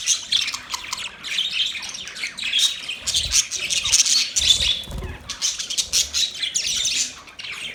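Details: Budgies chirping together in a dense, continuous chatter of high, scratchy warbles and short squeaks, overlapping throughout.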